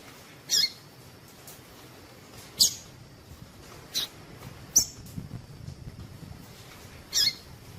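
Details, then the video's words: Female double-collared seedeater chip calls meant to make males sing: five short, high, sharp notes at irregular gaps of one to two and a half seconds, faint hiss throughout. "Piado de fêmea coleiro tui tui"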